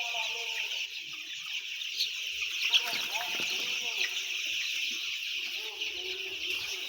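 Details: A flock of some ten thousand white chicks keeps up a constant shrill peeping, dense and even throughout, with scattered lower chirps near the start and end.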